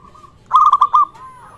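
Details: One bubbling phrase from a singing local zebra dove, used to stir other zebra doves into calling. Five quick staccato coo notes run together and end on a smooth held note, with faint cooing before and after.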